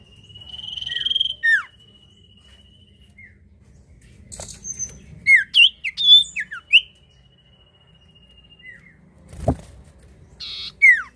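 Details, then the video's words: Lure recording of a common iora singing to set other birds off: a long steady whistle, a scatter of sharp down-slurred notes, then a quick series of bright varied whistles, with a thump and some handling noise. "sirtu atau cipoh gacor manjur buat pancing bunyi burung bahan"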